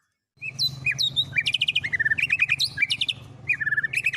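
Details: White-rumped shama song holding mimicked songs of other birds such as canary and lovebird, used to teach it: dense run of whistled and chattering phrases, rapid repeated notes and warbled trills, with a low hum beneath.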